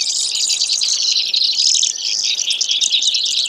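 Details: Rapid high-pitched trills and buzzes from a Brewer's sparrow pour out unbroken, the notes packed tightly and wavering up and down.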